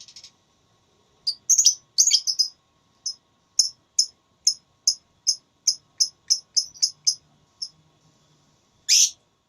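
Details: Lovebird in a singing contest producing a steady run of sharp high chirps, clustered at first then evenly spaced, ending with a loud harsh burst.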